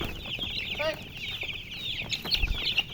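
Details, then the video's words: A group of baby chicks chirping, many high thin peeps overlapping, with one clearer descending peep series and a few low thuds toward the end. "Baby "Chicks Chirping" Sound"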